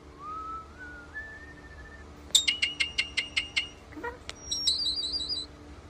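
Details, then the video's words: A common starling sings a varied medley: a slow rising whistle, then a quick run of about eight sharp clicking notes, a low squeak and high buzzy chatter. "European starling"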